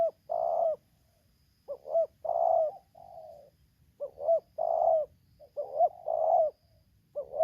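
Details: Spotted dove calling during a luring session in Lampung. Repeated phrases of short hooked coos run into long rolling coos with softer tail notes, about four phrases in seven seconds, over faint low background noise.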